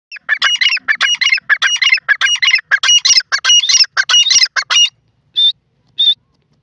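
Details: Grey francolin calling. Loud, harsh, high-pitched notes come in a rapid, steady series of about a dozen bursts, then two spaced, thinner whistled notes close the clip.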